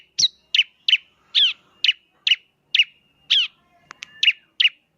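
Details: Bar-winged prinia singing a spaced run of sharp, high chipping notes, each a quick downward slur, roughly two to three per second, in otherwise quiet surroundings.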